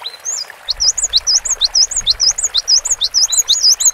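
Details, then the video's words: Cinereous tit in energetic song on a long training recording: steady quick repetitions of a swooping two-part whistle, rising then dipping high, about three per second with little pause, faint low rumble beneath. "GELATIK BATU GACOR DURASI PANJANG MASTERAN SUARA BURUNG KECIL"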